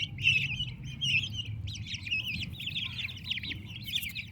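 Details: Healthy turkey chicks with their mother peep loudly and rapidly, their calls blending into a shrill, wavering chorus over a low hum.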